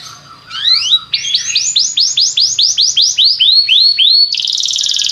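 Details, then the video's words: Belgian canary singing to prompt other canaries into song, delivering a long series of rapidly repeated rising whistled notes, about three per second, ending in a dense buzzy trill. "O canto do canário belga faz com que seu canário cante sem parar"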